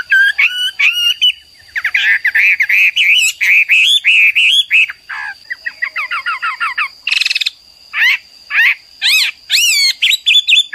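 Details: Hwamei, the Chinese laughingthrush kept as a cagebird, in full song: fast varied whistled notes, a run of quick repeated chips, a harsh rasping burst, then loud upslurred whistles; faint steady tone behind.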